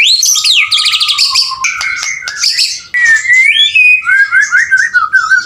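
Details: Male white-rumped shama singing energetically: loud varied phrases mixing rapid buzzy trills, rising and falling whistles, and sweeping slurred notes, moving from high chattering runs into lower fluting whistles.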